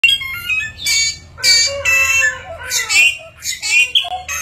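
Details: Chinese hwamei, a species able to imitate many different sounds, pours out a rich, unbroken run of varied whistles, chatters and imitated notes, switching phrases every half second or so.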